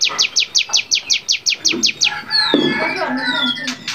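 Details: A bar-winged prinia sings for a songbird training recording: about ten sharp descending notes in regular rhythm, then a mix of thinner whistles and chirps from other birds.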